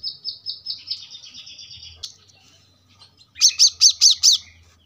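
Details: Brown-throated sunbird, recorded to train cage birds, gives a string of thin whistled notes that wavers and fades, then, after a short pause, five loud, sharp, evenly spaced high notes.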